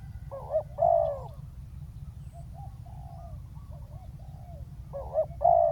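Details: Decoy spotted dove calling a wild dove to the ground: a wavering note and drawn-out coo, soft distant coos in between, then the double phrase returns at the end over low hum.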